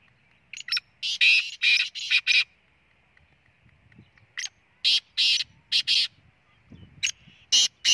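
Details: Black francolin calling: loud, harsh, grating bursts in a quick series of about six, a pause, then a second series, over a faint steady hum.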